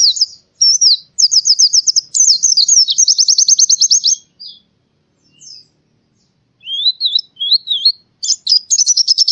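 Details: Singing white-eye, Central Java, Indonesia, sounding as in the wild forest. Fast stuttering trills and high warbled notes, a pause of about two seconds, then lower slurred whistles building into dense twittering.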